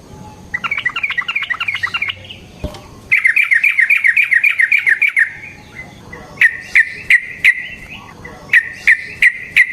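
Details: Trucukan, or yellow-vented bulbul, delivers a lure and master song of rapid rolling trills, meant to provoke a reply from other birds. Two chattering runs are followed by evenly spaced, sharp whistled notes.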